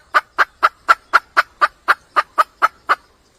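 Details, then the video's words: Hen red junglefowl calling for a male, giving twelve crisp clucks in three seconds at a steady, quick pace before falling silent. "le bruit d'une poule sauvage,เสียงไก่ป่าร้องหาถู่หาตัวผู้,ສຽງໄກ່ປ່າຮ້ອງຫາຄູ່ຮັກ, poj qaib qus see"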